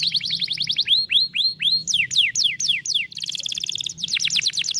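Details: 'Vara de pescar' canary song to stimulate a lazy canary. Fast trill of little sweeps, then slower ringing arched whistles, steep descending notes, a dense rattling roll and a final rapid sequence of sliding notes.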